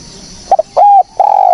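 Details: Fragment of a spotted dove lure call: quick clipped notes, a sustained level coo, and the start of another long coo, all clean and loud.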